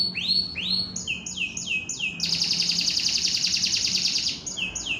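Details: Gacoran-style canary song for competition training: quick repeated sweeping whistles giving way to a long, rolling buzzy trill, then the sweeps return; a faint steady low hum underneath.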